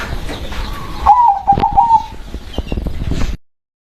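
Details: Local zebra dove giving a short run of warbled, slightly wavering coo notes that dip and rise, behind steady clicking and tapping noises.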